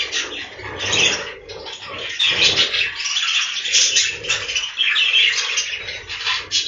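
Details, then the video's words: Many budgerigars inside a breeding room keep up an unbroken wall of chirping, warbling chatter, with rough pulses and scratchy notes layered throughout. "The life of budgies from inside the breeding room"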